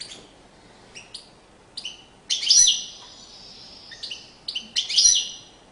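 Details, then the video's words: European goldfinch in courtship display, singing short chirped notes high in pitch, then a longer bright twittering burst near the middle and another at the end, with quiet gaps between. "Magnifqiue chant une parade nuptiale تغريد رائع"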